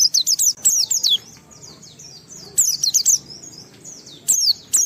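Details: Oriental white-eye song to get other white-eyes singing, delivered in short loud bursts of high falling whistled notes separated by quiet gaps of about a second.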